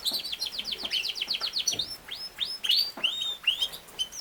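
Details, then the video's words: Yorkshire canary, also called king size canary, singing: bright whistled notes around high pitch, a fast series of short descending chirps followed by slower upward-curving whistles, fairly faint with light background hiss. "BEST CANARY SINGING"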